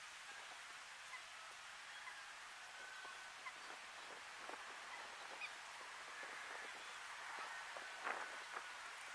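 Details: A Purple Gallinule in Imías, Cuba, in August 2017 gives short, clucking honks, about two a second and uneven in pace, over a steady background hiss.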